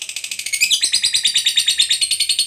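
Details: Lovebird fighter trilling in the long ngekek style, played to get other lovebirds to respond: a fast run of high, rasping pulses that grows louder and slightly slower midway, unbroken throughout.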